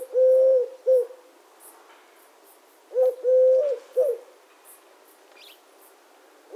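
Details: Eurasian collared dove cooing in repeated three-syllable phrases, the long middle note held steady, phrases about three seconds apart, with light chirping of other birds behind.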